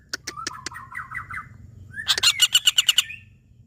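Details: A few spaced sharp notes and a wavering trill precede a fast, loud rattle of harsh repeated notes from a common flameback, locally pelatuk bawang.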